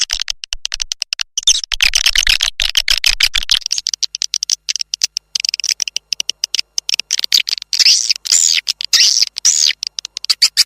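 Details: Swiftlet lure call, SP Naga Merah, played to draw birds into nest houses: dense, rapid clicking and rattling twitters, high and buzzy, pouring out almost without pause with brief gaps and stronger bursts later.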